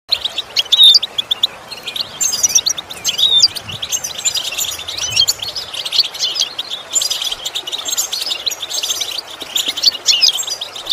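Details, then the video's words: European goldfinch song used as a lesson for training goldfinches to imitate sounds: dense, high, tinkling twitters and chirps with sharp whistled notes, flowing continuously over a soft hiss. "Training The Goldfinch To imitate Sounds Useful Lessons to improve Song"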